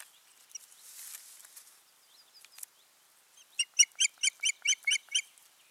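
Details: At the nest on 14 June 2019, an osprey pair; after soft scuffling and faint chips, a steady series of about eight loud, clear piping whistles closes the recording.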